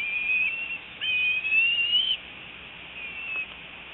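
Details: Excited squees from a young bald eagle on its return to the nest after fledging that morning, 25 February 2018, afternoon; high, thin whistled calls, one long slightly rising squeal, with shorter ones before and after, against soft hiss.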